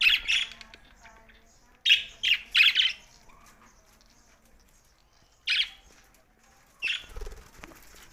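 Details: Budgerigar giving grouped raspy chirps, a quick triple burst followed by single squawks after long pauses, with a soft low rumble near the end.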